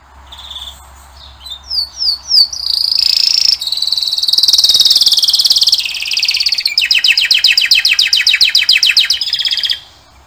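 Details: A male singing canary gives a continuous high song: a few quick slurred notes, then a long bright trill, finishing in a fast rolling run of repeated notes.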